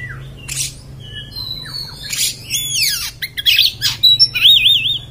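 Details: Harsh 'beset' style song of an Oriental magpie-robin (kacer): scratchy rasping bursts, sliding whistles and a rapid quavering trill near the end, a low background hum throughout.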